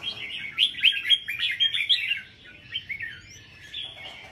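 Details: Competition-grade red-whiskered bulbuls singing on display racks in Buon Ma Thuot, Vietnam: a dense run of rapid, sweet whistled and warbled notes, then softer scattered phrases from other birds trailing off.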